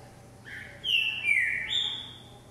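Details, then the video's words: Green-winged saltator kept in a jumping cage for vigor training sings a strong whistled phrase: a low opening note, a bright high whistle dropping to a lower one, then a level, higher closing note. "Trinca ferro Vigor no pulador"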